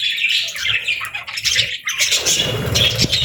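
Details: Budgies raising chicks, parents caring for the young; busy overlapping chirps and scratchy squawks, a brief quieter moment midway, then chatter resumes with a low thumping background.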